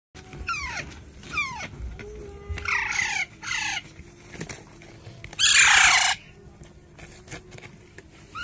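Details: Indian ringneck (rose-ringed parakeet, Psittacula krameri), a talking pet, gives two falling whistles, then two rough, speech-like bursts and a loud harsh screech lasting under a second, over a faint background hum.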